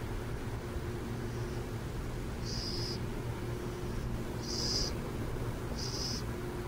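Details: Burrowing owls in San Jose: short raspy hissing bursts, high-pitched and each under half a second, come three or four times over a steady low rumble of distant traffic-like noise.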